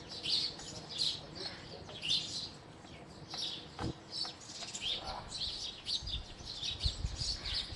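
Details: House sparrow chirping: short, bright chirps repeated in quick clusters roughly every second, with several birds overlapping, over a steady background hiss and low rumble.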